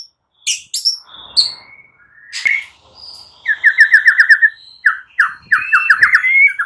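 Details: Morning song of a white-rumped shama, played to prompt quiet birds into singing: varied sharp notes, then a fast run of about ten rapid chipping whistles and more quick repeated notes.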